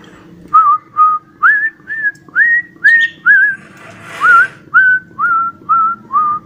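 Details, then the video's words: Cockatiel whistling an imitated tune, 'Johny Yes Papa'. Whistled notes, each rising or wavering, come at about two per second, eleven in a row, over a steady low hum. "COCKATIEL WHISTLE #7 | JOHNY YESS PAPA"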